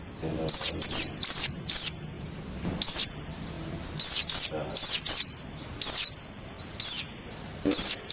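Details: Forest-dwelling wild white-eye used to coach caged birds into singing gives piercing high chirps that dip in pitch, grouped in quick doublets and triplets with brief pauses between.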